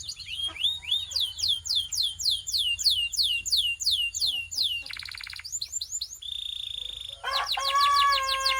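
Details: Belgian canary warming up its song: a fast series of clear whistled downward-curving notes, then a buzzy rattle, a steady held whistle and a rapid trilled flourish, over low rumbling background.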